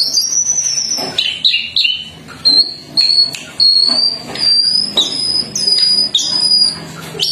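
Sunda Bush Warbler singing thin, high, drawn-out whistles, some slurring downward, strung together almost without pause over a faint hiss.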